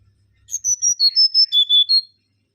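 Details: Mangrove whistler, locally called kancilan bakau, singing a clear series of about eight pure whistled notes that step down from very high to lower pitch over roughly one and a half seconds, in otherwise quiet surroundings.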